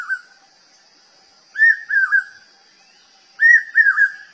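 Common hawk-cuckoo giving shrill whistled three-note phrases, each note arching up then down, repeated about every two seconds over a steady high insect hum.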